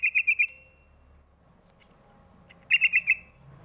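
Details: Sooty-headed bulbul lure call, meant to draw young birds into answering: two quick bursts of four bright, bubbly notes, one at the start and one near the end, separated by near silence.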